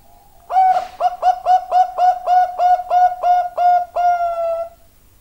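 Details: Zebra dove, known locally as perkutut bangkok; a clear series of about eleven short, even cooing notes at a steady low pitch, evenly spaced and ending in a longer drawn note, with a quiet background.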